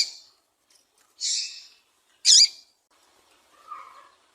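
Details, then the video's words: A female double-collared seedeater's call, used to stir up males, gives a few short, high, buzzy chips about a second apart, with a softer lower note at the end. "Piado de fêmea de papa capim"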